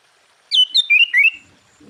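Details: Sooty-headed bulbul song meant to provoke rival bulbuls: one short, lively phrase of four linked whistled notes, stepping down and then back up.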